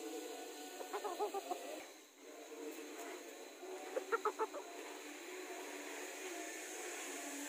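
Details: An Ayam Batik chicken, a breed noted for beautiful plumage, gives two quick runs of nasal, rhythmic clucks over a steady background hiss.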